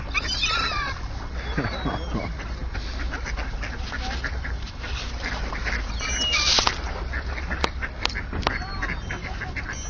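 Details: Eurasian coots fight at an ice-free patch crowded with waterbirds, kicking each other with their feet and wings until one flees. They give sharp, nasal calls amid bursts of splashing over a low rumble of wind and water, with other waterbird calls.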